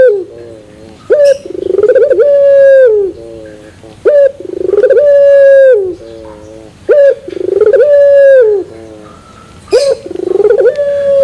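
A Barbary dove gives a short sharp note, then a long, deep, rolling coo. The phrase repeats about every three seconds, four times.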